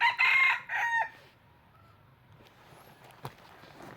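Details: Trapping decoy red junglefowl gives a loud crow right at the start, a harsh stuttering cock-a-doodle of about one second. Quiet follows, with a few faint clicks and a single tap.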